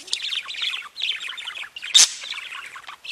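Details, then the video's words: Pet budgerigars chatter in a quick run of high twittering notes and squeaks, broken by one sharp, louder click-like burst near the two-second mark before the warble resumes. "Веселое пение волнистых попугайчиков / Funny singing of wavy parrots"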